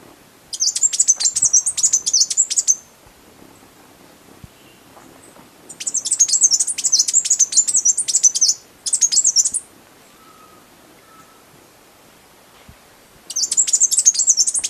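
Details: Blue-backed conebill song: four bursts of rapid, very high, thin twittering, each lasting about one to three seconds, separated by pauses of a few seconds against a quiet background.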